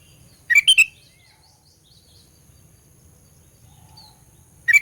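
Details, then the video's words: A sooty-headed bulbul repeating quick chirpy whistled notes, a burst of three near the start and another at the end, used to provoke rival birds; soft background rumble. "Burung Kutilang Pikat Gacor Fighter, Paling Jago Mendongkrak EMOSI Kutilang LAWAN"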